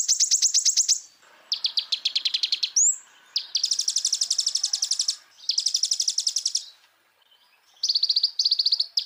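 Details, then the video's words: Common iora masteran, full isian: long high trills varying in pitch, with a sliding whistle between phrases and a faint background hiss. "MASTERAN KONIN GACOR FULL ISIAN PENDONGKRAK EMOSI BURUNG"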